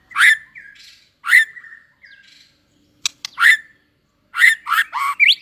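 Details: White-rumped shama, newly in breeding condition, tail-flicking during competitive singing: loud harsh squawking notes with whistled tails, in bursts about a second apart, then a quick cluster of rough chattering calls and a rising whistle.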